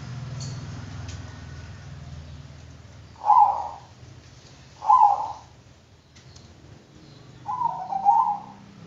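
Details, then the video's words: Bangkok-type zebra dove sings three soft, burbling coo phrases spaced roughly two seconds apart, the last one doubled, with a faint low hum and quiet clicks between them. "Bikin Kutut Bangkok Ikut Manggung DENGAN VIDEO INI,Pasti GACOR NYAUT dan NGAYER"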